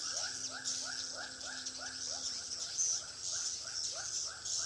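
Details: Swiftlets in a Pekanbaru bird house, heard as evenly spaced rising chirps, roughly two per second, layered over a continuous shrill, buzzy chatter.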